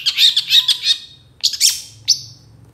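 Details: Long-tailed shrike in energetic tutor song with burst phrases: a fast cluster of scratchy high notes, a pause, then two loud harsh squawking bursts, one ending in a thin whistle.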